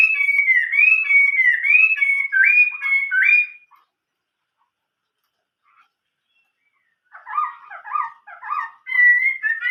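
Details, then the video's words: Chinese hwamei singing in the 'giọng rừng già' (old-forest voice) style. Bouncing whistled notes repeat rhythmically, then a long silence, then choppy buzzy notes and a clear whistle. "chim họa mi hót giọng rừng già"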